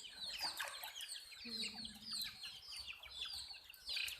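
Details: Young chicks of a hen in a chorus of shrill, falling peeps repeated rapidly, a short low hum briefly underneath, some faint rustling.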